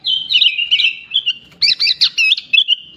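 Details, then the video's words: A sooty-headed bulbul sings, its song packed with imitations of ciblek, cucak ijo and jalak suren; a warbling whistled stretch followed by a string of sharp, separate chirps and a soft background hum. "Burung kutilang gacor isian paling mewah"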